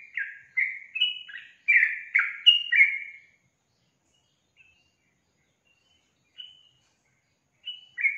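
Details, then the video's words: Sooty-headed bulbul singing: about three seconds of lively, gurgling slurred whistles, then near silence broken by faint distant notes and a final chirp. "SUARA BURUNG TRUCUKAN GACOR"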